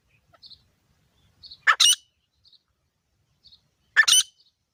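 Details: Grey francolin from a male and female pair: two harsh, double-pulsed squawks about two seconds apart, with faint soft chirps in between.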